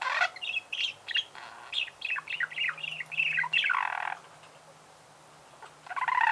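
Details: Budgerigar song made of rapid, scratchy warbling with twittering chirps packed closely together. The bird goes quiet for about a second and a half, then the chatter starts again.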